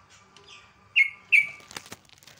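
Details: Sooty-headed bulbul in the morning, in the style locals call ropel, ngecruk and nembak: two sharp, loud notes that drop and trail off in a thin tail, a third of a second apart, with soft rustling and faint chirps around them.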